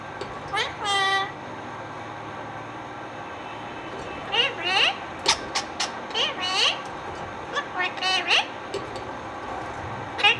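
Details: Indian ringneck parakeet talking, with a series of short squawky speech-like syllables and sharp whistled notes in bursts over steady background hum.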